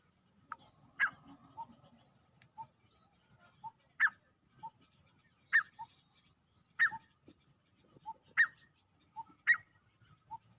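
A male Grey Francolin calls in loud, harsh phrases of a few notes, each followed by a lower, softer note, repeating about every one and a half seconds.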